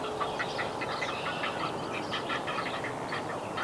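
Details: Nestling Great Blue Herons in north-central Massachusetts, USA, calling to a parent returning with fish; quick, rasping ack-ack chatter in tight clusters, steady and persistent against faint background noise.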